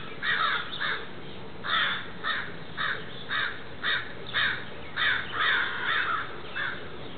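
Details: Crows mobbing a great horned owl in a back yard: a steady run of about a dozen raspy, strident caws, close together and slightly uneven in timing, with faint background hiss.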